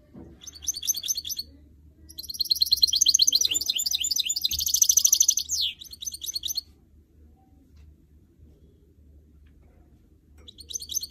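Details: Goldfinch mule, a canary and goldfinch hybrid kept as a song bird, delivering a long, fast twittering and trilling song phrase with dense high notes, then a pause before another burst begins.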